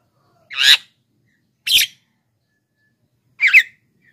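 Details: Jalak kebo, the Black-winged myna, vocalizing as a lure and training aid for lazy singers: three rough, grating squawks roughly one to two seconds apart in otherwise quiet surroundings.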